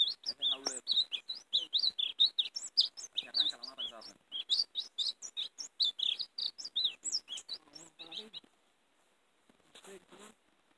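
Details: European greenfinch in a fast, tinkling twitter of high trills and chirps running about eight seconds, then fading to a few faint notes; the recording is used to call and catch greenfinches.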